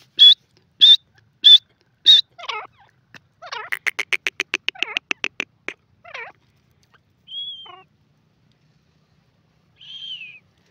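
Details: Grey francolin, known locally as teetar, calling: four loud, shrill, evenly spaced notes, then a rapid rattling run of short pulses, a few harsher notes, and two drawn-out slurred whistles near the end, against a silent background.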